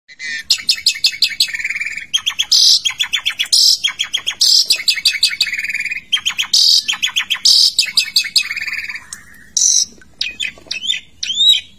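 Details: Caged Asian pied starling in full, lively song inside a bathing cage, showing a varied repertoire: rapid bursts of clicking, chattering notes alternating with bright whistled phrases and buzzy trills, loud and nearly continuous.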